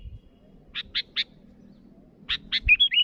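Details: Sooty-headed bulbul calling rivals: three short buzzy chirps, a pause, then two more chirps running into a quick bright whistled flourish near the end, over a faint low rumble.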